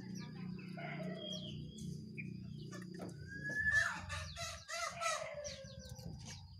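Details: Jongkangan, one wild bird and two caged birds singing against each other: a sharp whistled note, then a burst of scratchy, buzzy chirps over a steady low hum.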